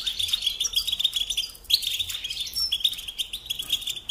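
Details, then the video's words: Goldfinch song for tutoring young songbirds, a fast stream of high, tinkling twitters and buzzy trills, briefly pausing near the middle before resuming with sharp rising notes and steady chatter. "Teaching Singing Lessons Through Goldfinch Motives"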